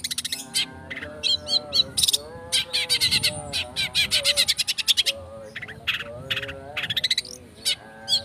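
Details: Dense speed rapet song of a long-tailed shrike, a lure for provoking song: near-continuous rapid harsh chatter and clicking bursts mixed with short high whistles, barely pausing, with a steady low tone behind.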